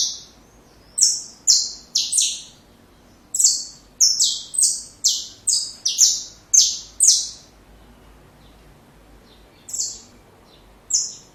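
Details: Saffron finch song for training young birds: clustered bright chips, first a group of four, then a long fast run of about ten sharp descending notes, then two widely spaced calls after a quiet gap.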